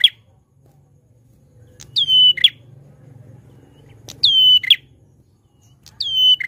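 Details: Grey prinia in loud, lively song: a falling-then-level ringing whistle closed by a short buzzy note, repeated three times roughly every two seconds, over a faint low hum.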